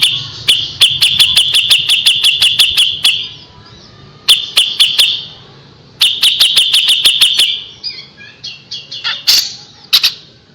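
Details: Three rapid runs of crisp, piercing notes from a kapas tembak, each lasting one to three seconds and separated by short gaps, then softer twitters and a loud squeal near the end. This 'tembakan' bursting style is used for training shama.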